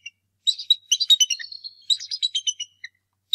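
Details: Agitated adult male bald eagle driving off an intruder near the Decorah North Nest during the 2018 egg season: a rapid, dense chittering of thin high notes in two quick bursts, ending with a lone chirp.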